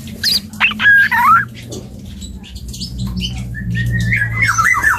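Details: Young dark-throated oriole practising its song: a few sharp chirps and a short slurred whistle at the start, a quieter middle, then a wavering warbled phrase at the end, over a steady low hum.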